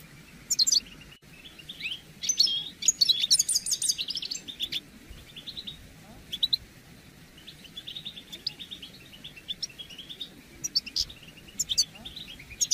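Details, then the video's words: European goldfinch mating and readiness calls played to get males singing after moult; an opening burst of sharp, high, tinkling notes, then a softer run of scattered chirps, with fresh loud bursts near the end. "بتبتة رائعة لتحفيز الحسون على الخروج من غيار الريش بسرعة"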